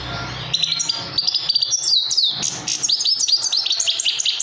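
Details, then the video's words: Trained young Himalayan goldfinch in full song: a quick, liquid stream of high twittering trills and tinkling chirps, sweeping notes and buzzy flourishes. A low hum is heard briefly at the start. "trained baby himaliyan goldfinch best singing"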